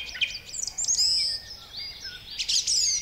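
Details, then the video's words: Song thrush song from a published garden-bird recording: strident, high whistled notes mixed with sharp chattering twitters, delivered as separate short phrases in three bursts across three seconds, brief pauses between them, over a faint steady hiss. "Song thrush song is marked by a repetition of notes and phrases and its strident, far-carrying, full-whistled tone."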